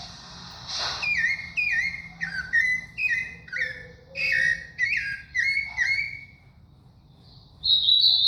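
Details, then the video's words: Thrush (sabiá) singing a rhythmic run of clear falling whistles, each note brief and evenly spaced, followed by a pause and a higher sustained whistle. "sabiá do Cícero."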